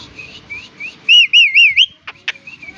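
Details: Javan myna (Acridotheres javanicus), a talking bird, gives a loud, wavering whistled phrase of three or four swoops, preceded by softer whistles and followed by a few sharp clicks; whistled mimicry.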